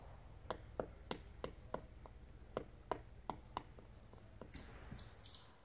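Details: A Pileated Woodpecker pecking inside a hole in a tree makes about a dozen sharp, hollow knocks at an uneven pace of two or three per second, then a brief scraping rustle.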